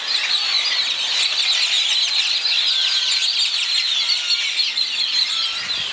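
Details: Dawn in Zapotitlan de Mendez, Puebla, filled with the singing of many birds. Busy high twitters and rapid chirps overlap continuously, a few drawn-out whistled notes appear, and there is a soft low thump near the end.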